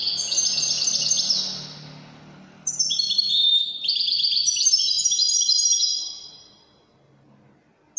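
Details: Wydani-style song from a goldfinch in Morocco: rapid jingling twitters, a short lull, then a long, dense sequence of bright, ringing trills and chirps that fades away.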